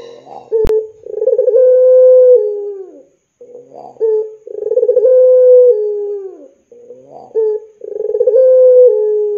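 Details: Lure call of a Spotted dove used to train young doves to sing. Three drawn-out low coos, each about three seconds apart, begin with a throbbing tremolo and end in a slight downward slide.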